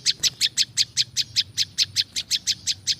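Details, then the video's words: Prinia (prinjak lumut), natural sound used for luring wild birds: a fast string of sharp, high chirps, about fifteen in three seconds, each a short bright tick, over a faint low hum. "SUARA BURUNG PRINJAK LUMUT"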